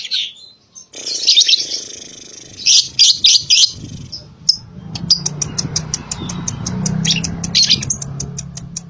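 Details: Lovebird sound used as a lure so young lovebirds answer: bursts of high, shrill chirping and twittering in dense clusters, then quick sharp repeated chips, over a steady low hum.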